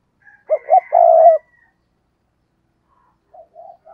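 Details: Decoy spotted dove gives one loud phrase: two short notes, then a sustained rolling coo, followed by silence and a few faint distant coos.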